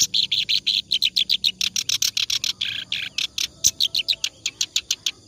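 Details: Clamorous reed warbler song for training other birds: a steady rhythm of loud, harsh chirped notes, about four per second, with the occasional sharp high whistle.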